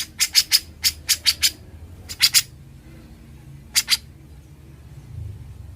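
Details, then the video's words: Grey-cheeked bulbul (cucak jenggot), recorded as a master for tutoring other songbirds, ngebren delivery: quick groups of three harsh, scratchy bursts, then a pair, then a lone pair after a pause, with faint low background hum. "Suara burung cucak jenggot, gacor & NGEBREN"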